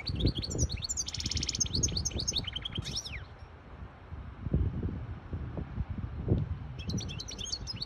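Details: A hybrid goldfinch song, used to teach young birds and stir a female to mate: a rapid burst of high chirps and slurred whistles in the first three seconds, resuming briefly at the end, over low background rumble.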